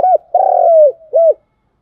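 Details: Spotted dove cooing, used as a lure to attract birds for trapping: a short arched coo, a long drawn-out pulsing coo sliding gently downward, then a final short arched note, clean with no background.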